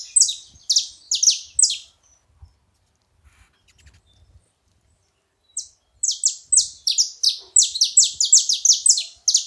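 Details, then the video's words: Saffron finch vocalizing while feeding: bursts of loud, high, sharply descending chirps repeated in quick rhythmic runs, a silent gap of several seconds, then a faster, longer run of the same bright notes. "Canário da terra fazendo barulho na seva"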